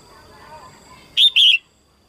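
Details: A female red-whiskered bulbul sings early in the 2022 season to stimulate males, giving one quick pair of loud, clear whistled notes after a soft murmuring background.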